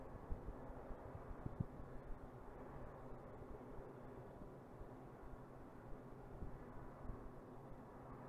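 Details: Low, steady rumble of wind and distant traffic with faint thumps, and no animal calls.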